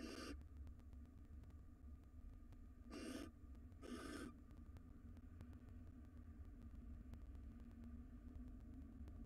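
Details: Barn owl male minding nestlings in a wild nest box; a brief rasp at the start, then two breathy hissing bursts about a second apart, with a steady low hum and faint ticks throughout.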